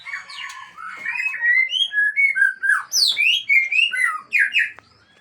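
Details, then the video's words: Song of a White-rumped shama from Aceh, loud and melodic, a string of rising and falling whistled phrases in quick pulses, ending abruptly. "Murai Aceh # Bongkar Isian"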